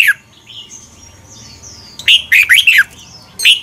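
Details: Red-whiskered bulbul, Thai training recording of the doubled song style meant for young birds to copy. A phrase ends at the start, then a quiet stretch with thin distant whistles, then a rich, fast, chirpy phrase, and another begins.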